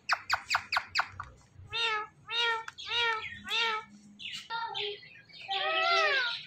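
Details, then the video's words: Indian ringneck parrot talking: a quick run of five clipped syllables, then a series of voiced, speech-like harmonic phrases with wavering pitch, each lasting about half a second. Low room hum sits underneath. "So Much Speaking Parrot Talking"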